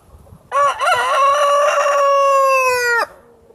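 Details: White Criollo rooster crowing: one loud crow lasting about two and a half seconds, opening with a short broken rising phrase, then a long steady harmonic note that ends abruptly, with a quiet background.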